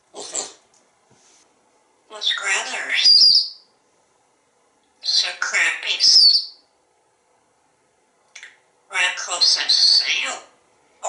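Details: Pet African Grey Parrot at home in Texas, asking for food and kisses and inviting to dinner; repeated bursts of mimicked human speech, each one to two seconds, with silent gaps, indoors.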